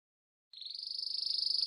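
A Belgian canary gives a high, steady rolling trill, a fast even pulse of about twenty beats a second that swells slightly. Nothing else is heard.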